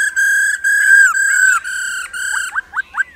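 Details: A female laughingthrush calls 'ro ro' to urge males to sing: several long, level whistled notes with strong overtones, ending in three quick upward-flicked notes.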